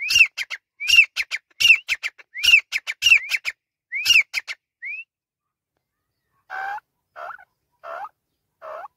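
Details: Male grey francolin calling: a fast series of ringing, upslurred whistled notes with clicks, repeated roughly every half second, then a pause and lower, rougher notes answering.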